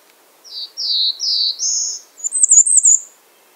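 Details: Bay-breasted warbler calling: four drawn-out, thin, slurred notes, each a little higher than the last, leading into a quick, very high, sibilant flourish. The setting is otherwise silent.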